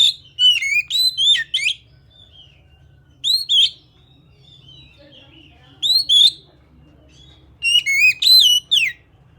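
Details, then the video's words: Kacer, the Oriental magpie-robin kept by Indonesian bird keepers, pouring out bursts of varied sweet whistles and sharp upswept notes, groups spaced a few seconds apart, over faint background hum. "kacer kalian pasti langsung bunyi"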